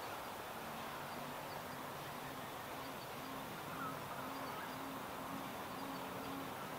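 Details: Adult male Tawny Frogmouth calling after sunset beside Gardiners Creek in a suburban Melbourne park, Australia, February. Low, soft 'oom' notes repeat steadily about twice a second over a constant hiss of background noise.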